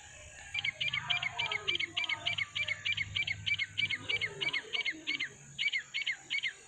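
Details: Francolin (teetar) calling, one of nine birds calling together naturally: a fast, steady series of sharp, bright double notes repeating over three times a second, with a low hum and faint other bird chatter beneath.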